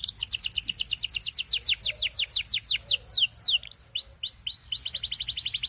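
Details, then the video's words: Singing Belgian canary: a long series of falling whistled slurs that slow and lengthen, then rising upslurred notes, ending in a quicker rolling trill. "Belgian Canary Singing"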